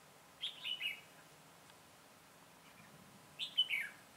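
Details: Trapping decoy red-whiskered bulbul, recorded 22 September 2017, repeating the same short warbled phrase twice about three seconds apart, each a bright whistle sliding down into quick tumbling notes.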